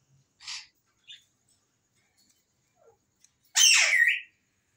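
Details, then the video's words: Pet African grey parrot at home, described as talking, gives a few soft scattered chirps, then one loud, harsh squawk of about a second with a falling tail near the end, with quiet between sounds. "Grey Parrot Masha Allah Bolta Hua"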